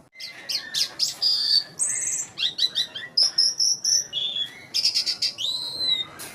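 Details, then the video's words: Asian pied starling (jalak suren) song for luring nervous starlings: continuous chattering medley of buzzy bursts, clear whistles, rising slurs and sharp clicks in uneven rapid sequence. "Bird Jalak Suren Madu, Merdu Banget Ini Suara Burung Gacor"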